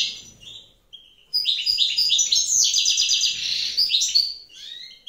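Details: Evening song of a wild European goldfinch pair with the female sitting on eggs: a short call, then a long, dense, jangling twitter of high liquid and buzzy notes.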